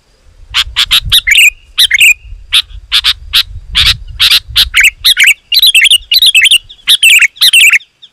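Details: Dense, loud sooty-headed bulbul chatter used as a lure for wild bulbuls: a steady stream of harsh chirps that builds into faster, twangy clusters toward the end, with low background rumble early on.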